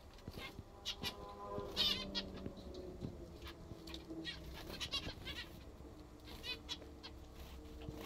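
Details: Several zebra finches eating their favourite food give short, nasal, toy-trumpet calls in quick irregular overlapping bursts over a low background hum; zebra finch (Taeniopygia guttata), calls.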